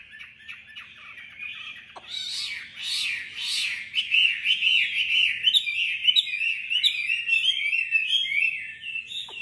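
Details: Competitive singing by a tame captive Chinese hwamei in Hanoi, Vietnam: rich, rolling warbled phrases that build into rapid, varied whistles and trills, with a faint click or two behind.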